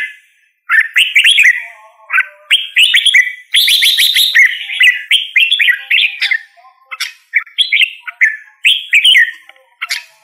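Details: Red-whiskered bulbul singing: bright, cheerful warbled phrases of rising and falling whistles, each lasting about a second, delivered one after another with short gaps.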